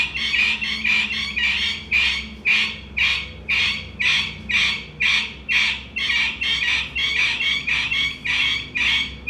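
A partridge gives loud, harsh, grating notes repeated steadily about twice a second.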